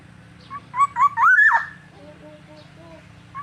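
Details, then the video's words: Black-naped oriole (Oriolus chinensis), used as a lure call, gives a short run of liquid, fluty whistles that rise and slur upward, then fade to softer notes over a steady low hum; finding: Black-naped oriole. "suara Burung kepodang gacor"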